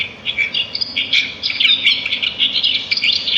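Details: Several sparrows chirp in nature, a continuous busy stream of short, high, sharp tweets overlapping one another with no pauses.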